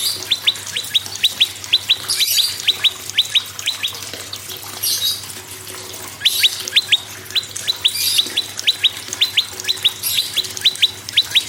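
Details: Prinia song played to prompt other birds to sing: sharp upslurred whistled notes, often in quick pairs, repeated about twice per second with brief gaps, over a hissing, watery background.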